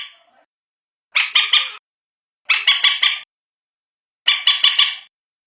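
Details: Common moorhen (bantiung), a call for finding the birds at night: three evenly spaced harsh bursts, each of three or four rapid buzzy notes.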